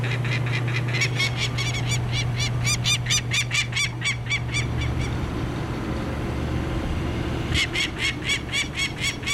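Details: Madame X, a female peregrine falcon at a Hamilton, Ontario hotel-rooftop nest during 2009 chick banding, angrily defends her nest with harsh, grating kak-kak notes, about two a second, pausing before resuming, over low hum and music.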